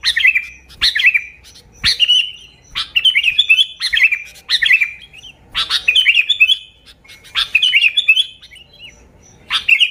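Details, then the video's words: Sooty-headed bulbul in chatty, continuous song, pure with no mimicry, used to lure bulbuls; bubbling whistled phrases repeat roughly every second or so, each starting with a sharp click. "Suara Burung Kutilang Gacor ASLI Tanpa isian, Ampuh untuk Pikat Kutilang bikin kutilang Ribut gacor"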